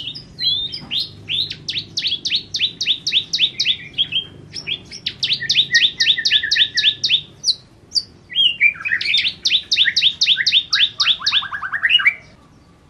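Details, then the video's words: Bar-winged prinia (ciblek kristal) in sustained, eager 'nembak' singing: long rapid runs of high, crisp chirps in several bursts with short pauses, closing on a faster, lower rattling trill. "Ciblek Kristal Gacor Nembak Nembak"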